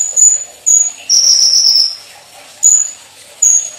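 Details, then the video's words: Olive-backed sunbird (konin) in lively full-filler song: sharp very high whistled notes, a longer slightly falling whistle in the middle, then two more short piercing notes spaced under a second apart. "MASTERAN KONIN GACOR FULL ISIAN MEWAH MATERI KEKINIAN NEMBAK CUCAK CUNGKOK"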